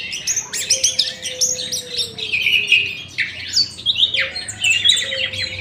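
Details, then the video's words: In an aviary at morning, several birds chatter with sharp, high chirps, rasping squawks and brief trills in a constant overlapping jumble, with a faint low hum beneath. "KICAU BURUNG DI AVIARY SAAT PAGI HARI"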